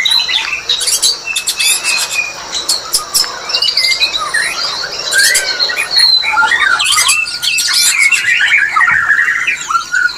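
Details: White-rumped shama mating call meant to bring birds into breeding condition, a dense, rapid medley of varied whistles, chattering notes and sharp clicks that runs without pause for the full ten seconds.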